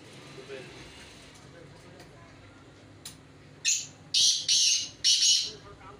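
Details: Kala teetar, a black francolin, tested for calling performance against a rival francolin. A short harsh note is followed by three long, loud, buzzy grating notes about half a second apart, with quiet background before.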